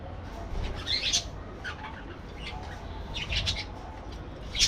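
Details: Short, bright parakeet chirps come in small groups from an aviary, some doubled, with low room noise throughout.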